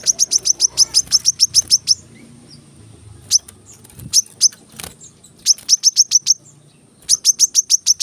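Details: Kolibri kelapa, the brown-throated sunbird, used as a training track for kept birds: bursts of rapid high chirps separated by a quieter gap with a few isolated sharp notes and a steady faint high tone.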